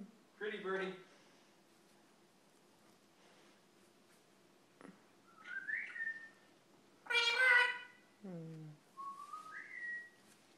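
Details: Lilac-crowned amazon kept indoors: a rough chattering note, then rising whistled slurs, one strong meow-like wail and a falling squawk, ending with two upward whistles; quiet room.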